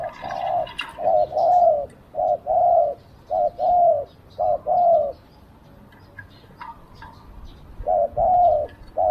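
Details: Captive spotted dove working as a decoy to draw in wild doves, cooing steadily in low phrases of a brief note and a longer wavering coo, repeated about every second, with faint chirps behind.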